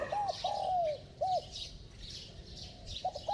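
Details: Spotted dove cooing: clear low hooted notes, short arched coos then a longer drawn coo falling away, repeated in quick phrases, with faint chirping of other small birds in the background.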